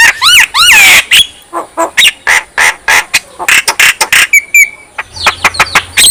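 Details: Javan myna voice, meant to get other mynas singing and worked up: harsh wavering squawks, then a rapid series of rasping chirps and brief whistled notes, about three per second.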